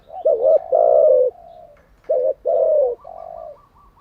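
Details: Spotted dove decoy for training newly caught doves, cooing two full phrases: a quick wavering double note, a long falling coo and a quieter trailing note, close and clear.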